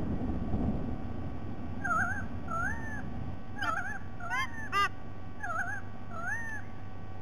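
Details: White-bellied sea eagle on 07 12 2020 giving a string of paired wavering honks, quivering then arched, several pairs over five seconds, with a few sharp clicks among them and low rumbling background.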